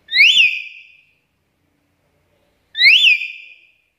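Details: Black-capped lory calls for luring other lories: two loud shrill arched whistles about two and a half seconds apart, each fading out in a drawn tail.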